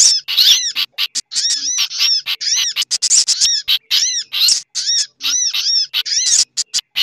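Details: Lure sound for sogok ontong sunbirds blended with other birds: high arched chirps in quick repeated runs, interspersed with sharp ticks and a busy chatter.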